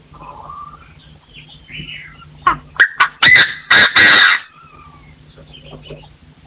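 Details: Partridge crowing in a forest setting, 2024: after soft chirps, a run of loud, harsh, rasping bursts builds into a sustained grating call near the middle, then fades back to faint background twitters.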